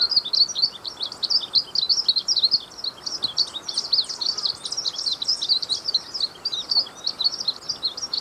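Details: Glaucous-blue grosbeak delivering a long, unbroken outpouring of high, rapid chirps and trills, dense and energetic throughout, over soft background hiss.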